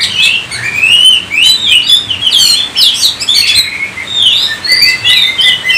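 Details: Singing Oriental magpie-robin, rapid sequence of clear whistles mixed with scratchy, buzzy notes and quick chirps, phrases tumbling one after another without a long pause.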